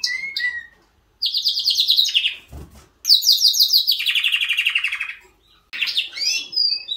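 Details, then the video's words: Canary singing: long rapid trills and rolling warbles, some falling in pitch, broken by short pauses, with a brief low knock in the middle. "Best Canary Singing '''Kanarienvogelgesang."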